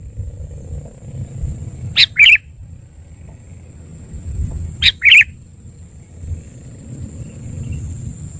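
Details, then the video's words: Sooty-headed bulbul giving two short bursts of bright, chirpy double notes about three seconds apart, used as a lure call to attract other bulbuls, over a steady high whine and low background rumble. "Suara Pikat Kutilang"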